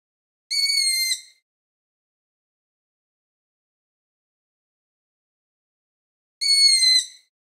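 A young long-eared owl gives two high, squeaky, slightly falling squeals, each under a second and about six seconds apart, with complete silence between.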